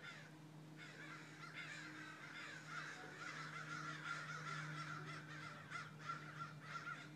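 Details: Crows cawing almost without pause, with harsh, rasping calls stacking into a busy chorus that builds toward the middle, all over a constant low droning hum.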